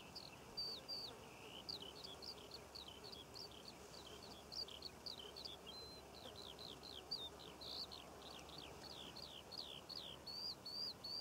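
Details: Over Cornwall poppy fields in June, a Eurasian skylark pours out a long, nonstop song of fast twittering phrases and downward-slurred chirps, with a faint low hum in the background.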